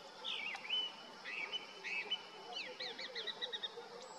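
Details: Singing from a deodar twig in the Himalayan valleys of Uttarakhand, a male Grey-winged Blackbird gives melodious summer territorial song: looping whistled phrases followed by a fast run of repeated sharp notes, with faint lower calls behind.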